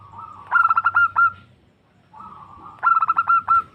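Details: Female zebra dove calling to a male, used for luring: two cooing phrases, each a soft lead-in followed by a quick stuttering run of about six pulsed mid-pitched coos, separated by a short pause.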